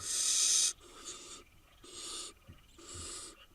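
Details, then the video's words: A wild barn owl brood of eight nestlings in Israel: one loud hiss opens, followed by three fainter hisses and a few soft taps. "8 nestling cute barn owl nestlings"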